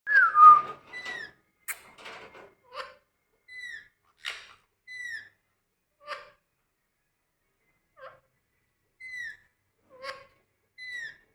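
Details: Pet Indian ringneck parakeet, said to be angry, gives short whistled notes that slur downward, with a harsher squawk at the start and scattered clicks. The notes come singly every second or so in a quiet setting.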